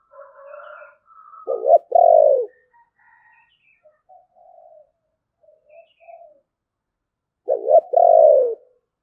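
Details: Spotted dove in the 'thổ bầu' voice style: two loud phrases of stuttered notes ending in a long downward coo, separated by faint low murmuring notes.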